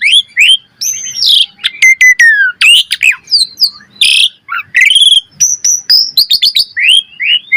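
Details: Asian pied starling singing a varied training song, a dense jumble of sweeping whistles, sharp clicks and short harsh bursts with barely any pause.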